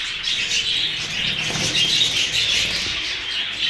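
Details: Hagoromo budgerigars, a group of newly acquired birds, fill the air with unbroken high, scratchy twittering and warbling, a few thin whistles standing out near the middle while the chatter swells slightly.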